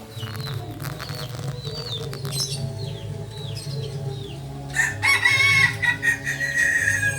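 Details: Kukuak Balenggek chicken, a native breed from Solok, West Sumatra. Its loud, harmonic, sustained crow with wavering pitch arrives late, after a run of quick descending chirps from other small birds over a steady low hum.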